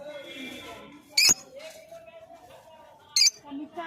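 A lovebird gives two sharp, shrill chirps about two seconds apart, with a faint murmur of voices or indoor sound in the background.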